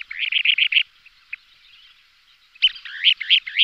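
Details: Kentish plover pair calling during aerial displays: quick rattling trills of bright, slightly rising notes, about five notes per burst, two bursts separated by a pause.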